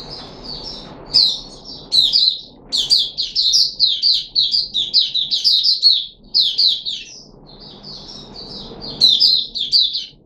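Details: Caged Puteh Raja red-whiskered bulbul on 13 April 2021, given special fruit juice and one mealworm, sings long runs of quick, cheerful warbled notes, nearly continuous for several seconds, with soft background noise.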